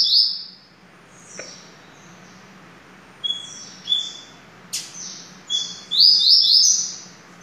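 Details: Double-collared seedeater (coleiro), Bem Amado Família Sertão, delivering a run of short high whistled notes and quick slurred phrases, ending in a fast trilled series of rapid repeated notes, with a few sharp clicks and a low background hum.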